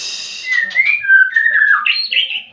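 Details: Lure song of a white-rumped shama for getting other birds to sing: a smooth, flowing whistled phrase gliding down then up, ending in a brighter warble.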